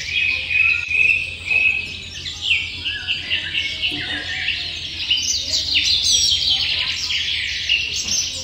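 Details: Nestlings of a small bird waiting to be fed, giving a steady mass of high-pitched, shrill twittering cheeps, overlapping and unbroken throughout, with a low mechanical hum beneath.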